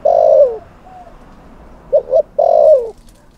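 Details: Decoy spotted dove calling to provoke wild males: a long low coo with a falling end, a quick double note, then another long drawn coo that drops away at its close.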